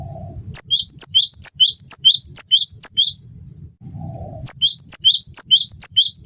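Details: Vigorous song of a cinereous tit (gelatik batu), meant to coach cage birds into singing: rhythmic high-low two-note phrases repeated about twice a second, broken by a short quiet gap with low hum before the phrases resume.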